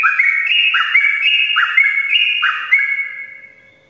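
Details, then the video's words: A sooty-headed bulbul sings fast in the morning, giving bubbling whistled note pairs that rise and fall. The song ends in one drawn-out whistle that fades away. "ropelan panjang trucukan gacor pagi hari untuk pancingan trucuk malas ropel"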